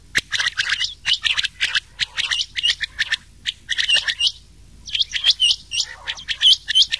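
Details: Dense run of rain quail and old quail calls, mixed as a summer night hunting lure; rapid overlapping high clipped notes, many doubled, pour out almost continuously for seven seconds.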